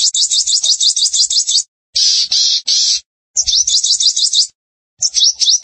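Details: A sunbird in full song, offered as a tutor and lure recording, gives bursts of very high, fast, twittering trills, each about a second long, with short pauses between them.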